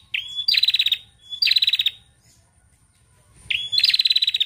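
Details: Female bar-winged prinia in Indonesia, calling to prompt other prinias to sing: three bursts, each a thin high note leading into a fast, dry, ticking series of about ten notes, repeated every one to two seconds.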